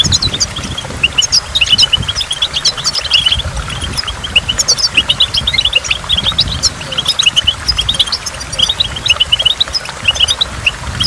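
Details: Long, busy twitter of a goldfinch near a waterfall, with rapid high chirps and liquid trills running without pause over a continuous background of falling water.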